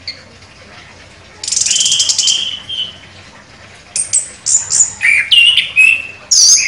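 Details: Orange-headed thrush contest champion: a harsh buzzy rattle with a low whistle underneath, then a quickening series of sharp high whistled and chirping notes delivered forcefully.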